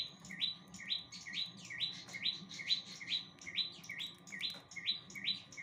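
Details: Bar-winged prinia singing a steady series of about twelve identical sharp upslurred chirps, roughly two each second, with a faint steady hum behind.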